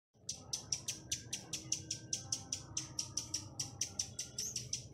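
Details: Chestnut-capped laughingthrush, a lure bird singing the clicking 'tạch' song used to draw in wild birds: a fast, even train of dry, sharp clicks, about six per second, each with a faint thin whistle, for five seconds.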